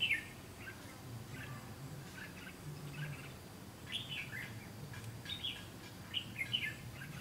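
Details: Red-whiskered bulbul decoy set out to trap wild birds on 7 June 2016: soft, scattered chirped phrases, more distant than loud, with small clusters of notes toward the end and a low rumbling background.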